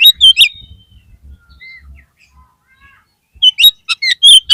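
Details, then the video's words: Oriental magpie-robin lure song for restoring a dispirited kept bird: loud sharp chirps open, followed by soft scattered whistles, then a lively burst of piercing notes and trills at the end. "PANCINGAN KACER PALING AMPUH UNTUK MENAIKAN MENTAL KACER YANG DROP !!!!"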